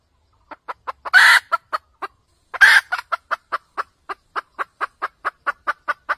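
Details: Wild red junglefowl hen's cackle, a recording used for trapping: a long run of evenly spaced sharp clucks, roughly two or three per second, broken twice by a loud, rasping drawn-out squawk, with a still background.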